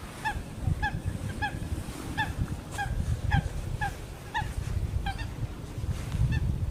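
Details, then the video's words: Eurasian coots in small and large groups preening on a lake in the Eijsder Beemden nature area, Limburg, Netherlands, on a morning of 7 October 2024: short nasal notes repeated about every half second over a heavy low rumble. "MEERKOETEN (FULICA ATRA)"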